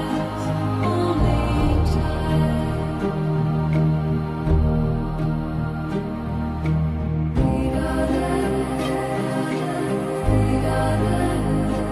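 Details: Soft, sustained new-age music with low droning tones and no animal sounds. Gentle harmonic layers swell and shift, with a brief pause near the middle.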